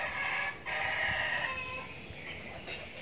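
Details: Red junglefowl decoy, a young bird, crows loudly and raspily for almost two seconds, the phrase dipping briefly before its drawn-out end, over a background of insects.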